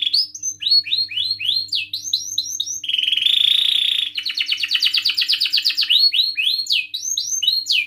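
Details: Lure song of a canary meant to set other canaries singing, made of many fast downward-curving whistled notes with a steady buzzing trill in the middle and rapid rattles after it.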